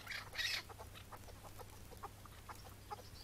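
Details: A wild chukar partridge in May 2017, in the morning during the breeding season, answers a call: a loud, harsh opening note, then soft clucking notes repeated about three times a second over a low, steady hum.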